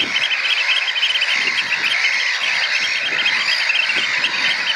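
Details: Juvenile Eurasian oystercatchers, three together, learn the piping display used in competition for food; dense, high, rapid trilled piping notes run without pause, several birds overlapping.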